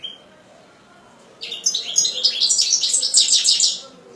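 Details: After a single thin note and a pause, a European goldfinch bursts into quick, high twittering song full of tinkling, chattering phrases and clear whistled accents.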